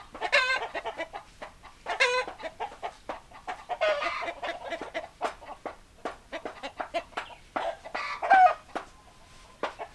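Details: Several hens clucking, a busy stream of short dry clucks and occasional longer cackling notes, uneven rhythm with a few louder squawks near the start and end.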